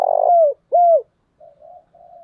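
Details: Decoy spotted dove giving the thúc bổi and calling coo: a short stuttering note run into a loud, low, falling coo, then a second clear falling coo, followed by two softer, wavering low coos.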